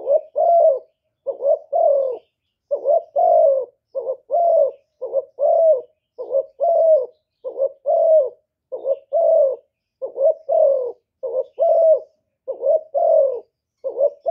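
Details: Spotted dove from Cà Mau, Vietnam, calling as a decoy bird for luring wild doves. A long series of low paired coos, a short throaty note leading into a drawn-out falling one, repeated steadily over a silent background.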